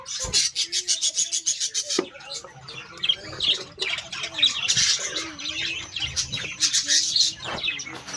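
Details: Many Australian parrots in a colony call together: harsh high squawks mixed with short warbled notes, fairly continuous, with some sharp clicks.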